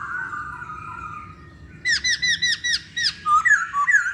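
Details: Masked laughingthrush song used to provoke other birds to sing. After a low steady whistle, a fast string of loud, sharply bent notes rings out, roughly three per second, ending in looser warbled phrases.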